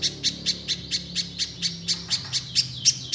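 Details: Nonstop 'mbeset nembak' singing of a little spiderhunter, played to spur untrained birds into sound: around a dozen high, sharp notes with a thin whistled tone woven between, spacing uneven, faint low hum behind.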